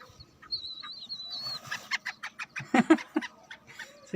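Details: Home-bred black francolin (kala teetar) gives a rapid series of harsh, grating notes, about four per second, after a thin wavering whistle from another bird.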